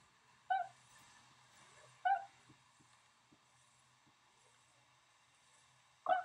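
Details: Tundra swan at Rosedale and Munson, Drumheller, Alberta, Canada: three single high honks, well spaced at roughly one and a half and four second gaps, over a faint background hum and a few soft ticks.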